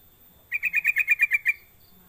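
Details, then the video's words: A yellow-vented bulbul gives a quick run of nine bright, even notes, about eight per second, over quiet background hiss; the call is used as a lure to get other bulbuls singing. "Pancingan Trucuk biar cepat bunyi gacor"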